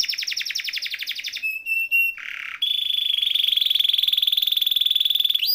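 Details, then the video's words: Rolling canary song for prompting silent canaries: a fast warbling trill, thin whistled notes, a harsh low burst, then a long, steady, metallic high roll that rises sharply at the end. "Kenari Gacor Ngeroll Isian Masteran atau Pancingan Kenari Riwikan atau Kenari yang Macet Bunyi"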